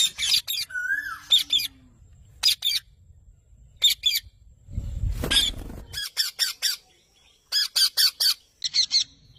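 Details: Parrot chirping in tight clusters of three to five harsh squawks separated by pauses, with one brief whistle early on and a loud low rumbling noise in the middle.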